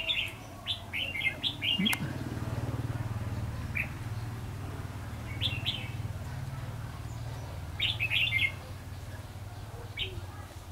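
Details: Red-whiskered bulbul used as a decoy during bird trapping on 22 February 2016, singing to lure wild bulbuls. Short bright warbled phrases come in bursts, clustered early, then around 5.5 and 8 seconds, over a steady low hum.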